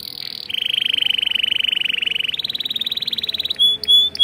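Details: Canary singing in a breeding aviary: a long rapid rattling trill at middle pitch, shifting to a slightly higher trill, then closing with short pure whistled notes.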